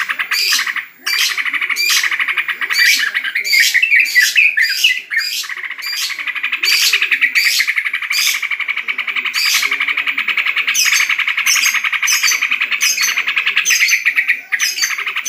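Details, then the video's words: Yellow-vented bulbul (trucukan), a caged bird at home during the corona pause in bird contests, delivering a long, nearly continuous run of rapid chattering and scratchy notes punctuated by repeated bright clicks, with only brief pauses. "Lomba Burung Libur Beginilah Aksi Trucukan"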